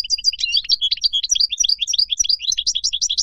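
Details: European goldfinch in wild song, the style played to teach young birds: continuous bubbly, high-pitched twittering with rapid tinkling notes rising and falling throughout.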